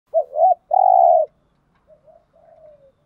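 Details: Spotted dove lure call used to draw wild doves, with low mellow coos: a two-part phrase ending in a long steady hoot, followed by quieter trailing coo fragments and the start of another phrase.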